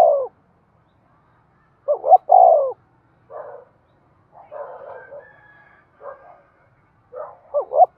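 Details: Spotted dove giving 'thúc' cooing used to excite decoy birds: one clear three-part coo, two short rising notes and a long falling one, amid softer rough calls and chatter, with another phrase starting at the end.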